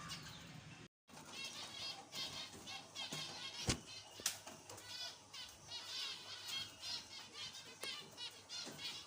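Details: Captive zebra finches from a breeding setup in Jajapur, Odisha, India, giving a busy overlapping mix of short nasal, stacked calls, broken by a brief silence near the start and a few sharp knocks.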